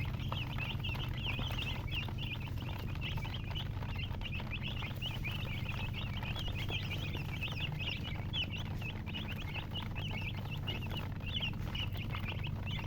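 A crowd of chicks keeps up a steady chorus of high, thin, overlapping peeps.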